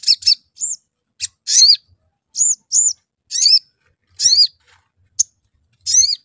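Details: Lure sounds of a sooty-headed bulbul for making it sing: dense alternation of clear arched whistles, short chirps and harsh buzzy rising notes in quick succession throughout.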